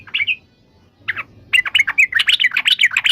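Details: Yellow-vented bulbul singing: a short slurred phrase, a pause, a brief burst, then a fast run of bubbly chirps rising and falling at a high pitch.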